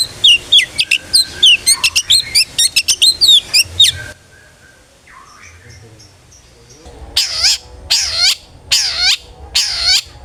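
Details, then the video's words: Long-tailed shrike singing ngeplong style as a lure for other shrikes: a fast burst of high whistles and chirps, a quiet stretch of soft distant notes, then four loud, harsh, broad strokes about a second apart. "cendet gacor NGEPLONG sangat ampuh buat PANCINGAN cendet agar RAJIN BUNYI"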